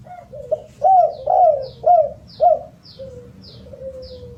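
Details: Spotted dove cooing, used to lure birds into singing, with four soft hooting notes in quick succession followed by a drawn-out, falling low note, while thin high chirps repeat in the background.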